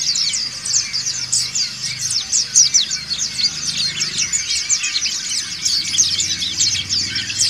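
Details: Massed ngriwik singing by many white-eyes (dakun, montanus), used to train other birds: busy bright chirping of quick rising and falling notes, packed tightly together, with a faint low hum underneath.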